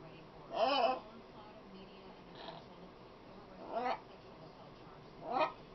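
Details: A female pet macaw that talks a lot gives three wavering, speech-like vocal bursts, each under half a second, separated by quiet pauses in an indoor setting.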